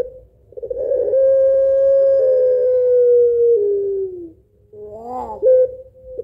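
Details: Spotted dove of pelung type producing a lengthy, melodious 'kuwok' two-note laugh for luring: a rolling onset swells into a long coo gently falling in pitch, followed by a quick rising warble and short accent.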